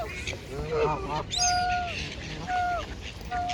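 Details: Noisy geese at Mote Park in Maidstone, UK, by a river: several drawn-out nasal honks and shorter calls overlapping, with a steady background hum and bustle.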